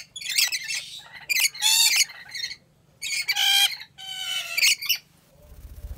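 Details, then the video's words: Rainbow lorikeet kept at a wildlife park in Aceh Besar, Aceh, Indonesia, giving harsh, rasping screeches in four bursts of about half a second each, separated by short pauses, with a faint low hum underneath. "Rainbow Lorikeet Sounds"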